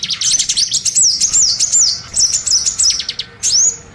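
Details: Lure call for small birds: rapid chirps mixed with clear, looping high whistled notes that rise and fall, ending with one upswept whistle.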